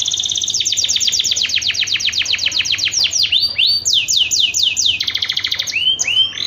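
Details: Canary mating song used to coax other canaries into singing: a long steady series of descending whistled sweeps, several per second, then looping slurred notes and a fast trill.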